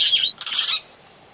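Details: Long-tailed glossy starling at Oyster Creek, Coast Road, The Gambia, giving two quick harsh, scratchy squawks back to back, loud and close, then quiet hiss.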